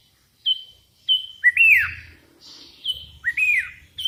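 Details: Calling to rivals, a sooty-headed bulbul gives crisp level whistles followed by arched, sliding phrases that rise then drop, repeated about every two seconds over faint low rumble.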